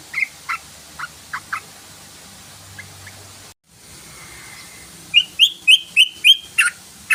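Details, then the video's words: Yellow-vented bulbul lure recording played to make the bird sing: a few scattered sharp chirps, a brief silent break, then a quick run of about eight bright, clipped notes. "SUARA PANCINGAN BURUNG TRUCUKAN❗❗❗TRUCUKAN BAKAL CEPAT BUNYI❗❗❗"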